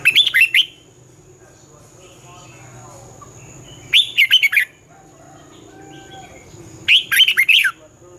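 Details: Red-whiskered bulbul in competition song, twisting-voice style, sung in the morning for training birds. Three lively phrases about three and a half seconds apart, each a rising swoop then quick warbled notes, with low hum and soft twitters between.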